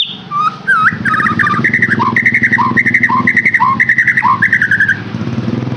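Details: Song of the white-rumped shama, played to stimulate a caged bird to sing loudly: rapid rhythmic phrases of bright whistled chirps alternating with lower swooping notes, repeated steadily for about five seconds over a constant low hum.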